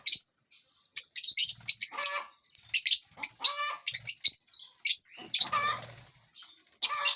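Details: Aviary lovebirds, eating and flying freely, keep up a busy chatter of shrill chirps and rasping squeaks, calls tumbling over one another with brief silences and soft flutters of wings.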